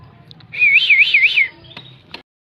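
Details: Oriental magpie-robin in fighting mood, singing in full voice: a clear warbling whistle that rises and falls in three quick waves, followed by a couple of faint short notes.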